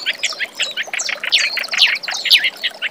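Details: Reed warbler, recorded as master song for young magpie-robins, gives a busy stream of scratchy chirps and short shrill squeaks that build into louder piercing notes toward the end.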